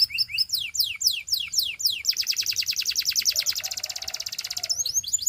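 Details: Canary singing practice for training: a run of steep descending whistled sweeps, then a long fast rolling trill of tightly repeated high notes with a soft lower hum beneath, ending in brief chirps.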